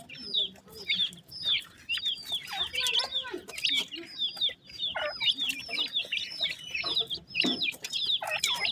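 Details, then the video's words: Black francolin chicks feeding in the morning, a steady flock chorus of high, downward-slurred chirps repeated rapidly throughout, with occasional lower notes mixed in. "teetar chicks morning time feed R voice"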